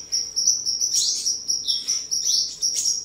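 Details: A captive sunbird in Tân Phú, Đồng Nai, Vietnam, 23 July 2022, singing, displaying and sparring, gives a thin, very high, fast twittering strain with sharp sibilant bursts, continuous over three seconds.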